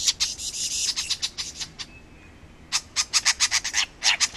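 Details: Male-style courtship performance of a superb lyrebird from Australia, dancing in a mating choreography: bursts of rapid, dry, clicking notes in quick trains, a brief pause, then another fast rattling run.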